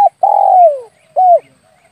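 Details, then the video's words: Spotted dove lure call for hunting doves: a long, mellow coo that slides steadily downward, followed after a short gap by one brief rounded hoot. A clipped note opens the clip. "SUARA PIKAT BURUNG TEKUKUR/DERKUKU"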